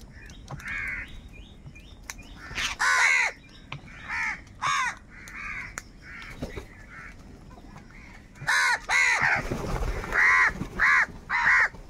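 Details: A flock of crows fighting for food keeps up a busy chorus of harsh caws, scattered at first, then a fast burst of loud rasping caws in the final seconds.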